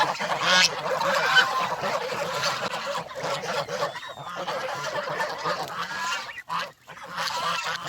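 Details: Domestic farm geese leaving their pen in the countryside, a flock honking continuously in overlapping nasal, harsh calls with layered harmonics, with a quieter gap near the end.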